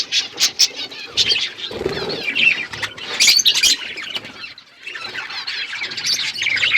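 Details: Budgerigars in an outdoor aviary give scratchy, warbling chatter mixed with sudden clicks and flutters of wings, the chorus dipping briefly then rising again.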